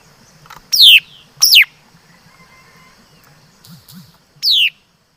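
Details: Laughingthrush song of three sharp, downward-sweeping whistles. The first two come close together, then a pause with faint low murmuring, then a final whistle. The background is otherwise quiet.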